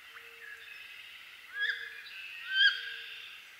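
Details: Wood duck of eastern North America calling: two rising squealing whistles about a second apart over a faint steady low hum and soft background chatter.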